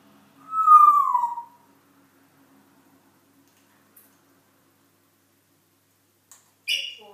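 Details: Dancing pet African grey parrot giving one loud whistled note that slides downward over about a second, followed by near silence with a faint tap and a short higher squeak at the end.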